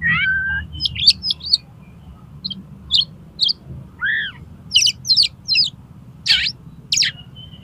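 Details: Oriental magpie-robin singing konslet style to trigger tail-opening in another magpie-robin: a slurred whistle, then scattered high clicks and chips, one lower arched note mid-way, and bursts of harsh high notes, over a low hum.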